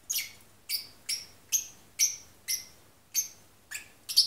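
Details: Pet lovebird parrot singing while half asleep: soft, high, sharp chirps repeated about every half second in an even series, over a faint low electrical hum.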